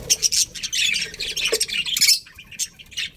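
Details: Colony of colourful budgerigars, including a breeding pair, chirping together in a dense overlapping chatter of high squeaky warbles and short scratchy notes, with no single bird standing out.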